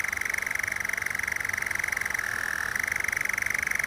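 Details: European nightjar on heathland at twilight, in the mid-May to September season, churring in a long, unbroken mechanical trill like a fast rattling purr, dipping slightly in pitch partway through, over a faint background hiss.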